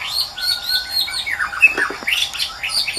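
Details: In the wild, a white-rumped shama sings melodiously: rapid varied whistles and down-slurred notes tumbling together, with a brief clear whistle and bright chirpy phrases toward the end.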